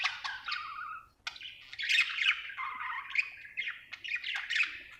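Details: Budgie described as happy, chattering in rasping, warbled phrases with a brief gap, then a busy stream of scratchy chirps.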